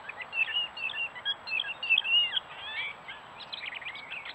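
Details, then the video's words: Gray catbird singing beside a stone wall in New Hampshire woodland, trail camera recording: a rapid jumble of warbled, squeaky and slurred notes in a continuous flowing stream, then softer scattered chips. "Gray Catbirds doing their Courtship Display, Posturing, Meow Call, Singing, Mimicking and more..."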